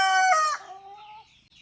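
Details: Final part of a rooster's crow, one of three roosters communicating near their hens: a bright, harmonic note that drops in pitch and trails off within about a second, then quiet with faint bird chirps.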